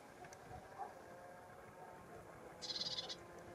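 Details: Lesser whitethroat (Curruca curruca), call.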